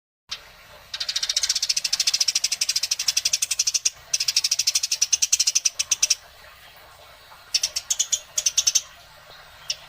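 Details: Eurasian tree sparrow in a fighting display, giving long rolling runs of rapid, clear, high chirps, about ten notes a second, with a short break at four seconds and another near seven seconds.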